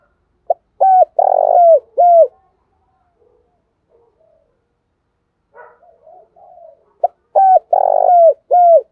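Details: Spotted dove lure bird giving its morning call in a responsive voice: two four-note cooing phrases, each with a clipped first note, a broad rough coo and falling end notes, soft murmurs between.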